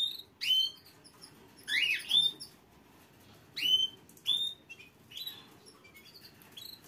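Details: Canary singing indoors in short separate bursts of bright whistled and buzzy notes, some sweeping sharply up or down, with brief quiet gaps between phrases and a faint low background hum.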